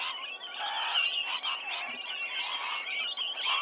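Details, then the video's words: Flock of rainbow lorikeets around a sea-eagles' nesting tree in Sydney, Australia, on a November 2020 morning after 7 a.m., recorded by a nest cam: a continuous dense chatter of high, grating screeches from many birds at once. "Rainbow lorikeet gathering"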